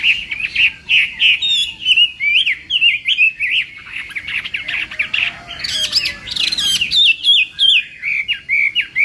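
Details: Chinese hwamei in contest-style morning voice training: rapid repeated whistled notes, nearly three a second, mixed with harsher squeaky bits midway, then strong descending phrases.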